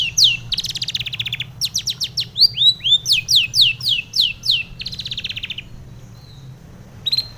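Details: Morning song of a female long-tailed shrike, used to lure and settle caged birds: harsh buzzy chatter, then a run of quick down-slurred whistled notes and rapid scratchy trills, ending in near silence.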